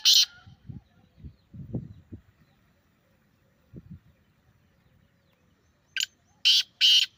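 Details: Grey francolin (teetar) call for coaxing a kept bird to answer: one loud harsh note at the start, low thumps and rustles, then three strident grating notes in quick succession near the end.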